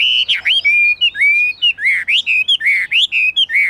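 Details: Caged Chinese hwamei in full high song: loud, pure whistled phrases, some held flat, others sliding upward, delivered in quick bursts with short gaps, a low hum beneath.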